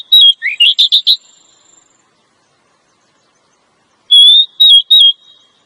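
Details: Female Oriental magpie-robin calling to get a male singing. A quick rising phrase of clipped, buzzy whistles, silence, then three steady whistled notes about four seconds later.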